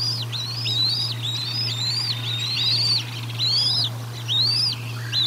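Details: High, bright whistled chirps, each arching over and dropping away, run almost continuously from a bald eagle feeding at the Decorah North nest on 1 April 2022; low hum throughout.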